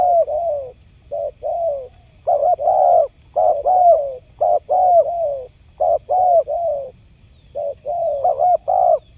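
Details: Spotted dove lure recording meant to make silent wild doves answer: runs of soft, low, slightly wavering coos, grouped in pairs and triplets, repeated steadily with brief pauses between groups.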